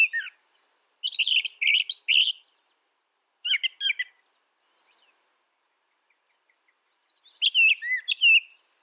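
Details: Scratchy, jumbled phrases of brown thrasher song come in three bursts with long quiet gaps, the last burst softer and warbled.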